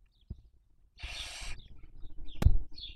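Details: Barn owl raising young, 2023 breeding season, Cabañeros National Park nest webcam, Spain; a single half-second rasping hiss, faint wheezes, and a sharp knock or thump near the end.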